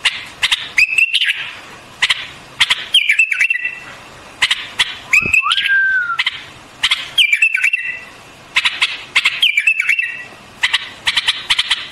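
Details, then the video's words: White-eared bulbul singing: short fluting whistled phrases near mid-high pitch, some sliding downward, broken by sharp dry clicking bursts, in groups every one to two seconds over a quiet background. "Singing of White-Eared BULBUL, The beautiful sound of White-eared bulbul, صوت البلبل أبيض الأذنين"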